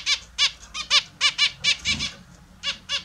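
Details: Captive Australian zebra finches bathing in the morning give short nasal honking calls with stacked harmonics, repeated about twice a second in an uneven rhythm, with faint splashing beneath.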